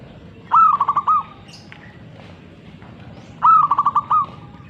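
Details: Two repeated coo phrases from a zebra dove (perkutut), spaced roughly three seconds apart: several fast, mellow pulsed notes followed by a short pause and one longer final coo, above quiet background noise.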